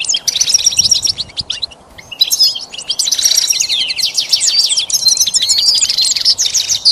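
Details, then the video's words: Goldfinch song meant for teaching a pet goldfinch, continuous bright twittering with buzzy trills and sliding notes over a steady background hiss. "Teaching the goldfinch the art of song-advanced lessons in best chirps"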